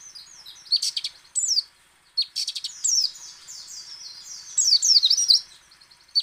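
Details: White-eye (pleci) in ngecal, ngalas and nembak song, used to draw other white-eyes into song. Varied high, sliding twitters and chirps ramble on, interrupted twice by short clicking, rattling bursts.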